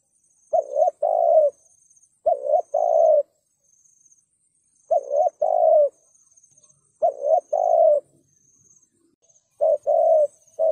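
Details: Spotted dove cooing 'thúc gù' style, 'sát bổi' voice, to draw in wild birds: five paired coos at irregular gaps of one to three seconds, a short note then a long mellow one.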